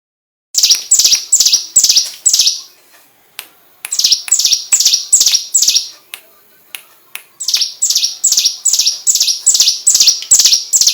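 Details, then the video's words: Hill prinia song used as master training material for white-rumped shamas: three bursts of loud, sharp, downslurred notes, each burst five to eight quick repeats at about two per second, with short silent gaps between. "Burung prenjak gunung master tembakan murai batu"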